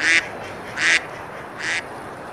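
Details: Three short, harsh quacks from ducks feeding and splashing on a river at Besalú, Girona, Spain, on a summer day, spaced under a second apart against steady water sound.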